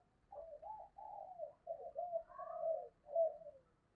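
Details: Spotted dove used as a decoy, cooing in the 'thổ' style to attract wild doves. Soft, smeared, echoing coos run together in a wavering low phrase, with faint background rumble.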